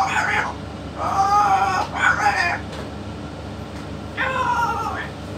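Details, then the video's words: Talking yellow-naped amazon with a parrot expert produces loud, nasal, harmonic word-like calls: a quick pair at the start, a longer steady phrase, then another after a pause, over low background hum. "ببغاء الامزون اليلوناب الملك يتكلم"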